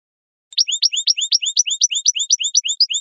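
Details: European goldfinch singing: after a brief silence, a fast, even string of high, clear paired chirps, a sweeping note alternating with a sharp upper tick, about four per second, with no other sounds.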